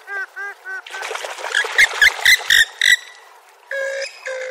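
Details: Purple swamphen starting with three brief nasal, downslurred notes. A rough burst of overlapping squawks and clicks follows, ending in two longer, flat, nasal honks.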